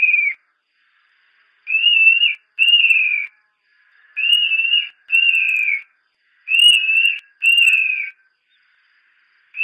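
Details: Montane nightjar (Caprimulgus poliocephalus) singing in pairs of clear whistles, each note steady then slightly falling at the end. Seven notes are grouped in twos with short pauses between pairs.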